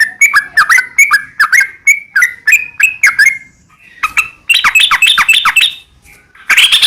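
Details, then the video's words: Sooty-headed bulbul singing a long, rapid 'ropel' sequence, used as a lure so other bulbuls answer: bubbly whistled phrases that dip and rise, given in quick runs, then a brief pause and a brighter, higher burst of notes. "trucukan gacor ROPEL PANJANG buat pancingan trucukan agar bunyi jadikan burung trucuk gacor NYAUT"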